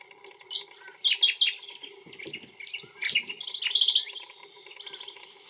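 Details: In Australia, a Brown Honeyeater gives quick, bright chirps and warbled phrases, high and jumbled, in bursts over a few seconds, with a faint steady hum underneath.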